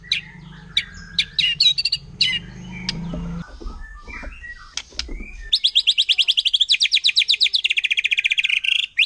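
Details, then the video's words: White-rumped shama from the forest, wild, delivering its 'nembak' shooting song that provokes rival shamas: scattered sharp high notes over a low hum, then a long, very fast, even trill of piercing notes. "Murai Batu Hutan Kalau udah Nembak Bikin Emosi Burung Murai Lain"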